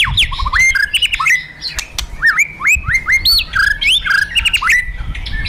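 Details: White-rumped shama, a fighter bird, provoked to fight: loud varied song of rising whistled notes and sharp upslurs around mid-high pitch, quick jumbled phrases with clicks and chatter between, repeated rapidly throughout.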